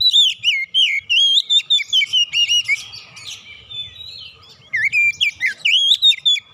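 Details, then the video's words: Continuous oriental magpie-robin song used as a lure to prompt singing: rapid, rolling whistled notes that rise and fall, a quieter rasping passage, then more loud looping whistles. "PANCINGAN KACER BUKA PARUH GACOR NGEPLONG BONGKAR ISIAN"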